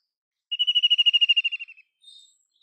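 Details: White-throated kingfisher producing one quick, rattling trill lasting just over a second, pulses fading toward the end, followed by a brief thin high note.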